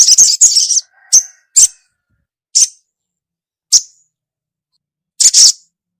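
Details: Female ruby-cheeked sunbird calling the male: an opening cluster of high chirps, then single sharp, thin notes spaced about a second apart, ending in a double chirp.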